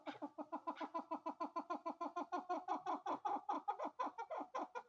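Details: A female chukar partridge gives a fast run of harsh clucking notes, about four to five per second, steady in pitch, with nothing else clearly heard.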